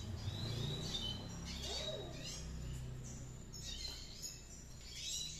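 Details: Red siskin in active ngriwik song: bursts of high, thin chirps and sweeping whistled notes, some gliding up and down, broken by short pauses, over a constant low hum.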